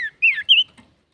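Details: Male common iora singing to provoke other birds: three quick whistled notes, the first falling, the next two rising and wavering, close together.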